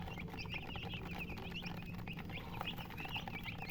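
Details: Busy high-pitched chicken chirping, short slurred peeps tumbling over one another nonstop, with a low continuous hum underneath.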